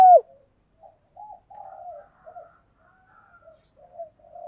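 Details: Spotted dove decoy luring wild doves with calls; one brief loud coo at the start, then scattered soft, low, murmuring coo notes separated by short silences.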